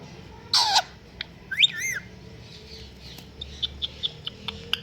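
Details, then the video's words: Pet talking parrot giving a squawk with a falling pitch, then a rising, wavering whistle, followed by a run of soft clicks and tapping sounds in a quiet room. "World Best Talking Parrot"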